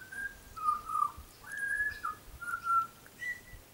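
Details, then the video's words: Young butcherbird with lighter black plumage whistles a few pure, steady notes and slurs, closing on a higher held tone. "Young Butcher Bird is singing a song"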